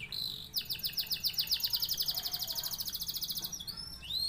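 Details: Canary from Indonesia singing: a rapid trill of sharp repeated notes high in pitch, about four per second at first then quickening into a steady roll for three seconds, ending with a few upslurred whistles; faint background hiss.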